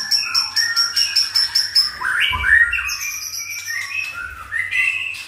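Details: White-rumped shama free in a breeding cage, excited with tail pushing: rapid run of repeated sharp high chirps, then rich whistled phrases rising and falling, with a brief low thump midway.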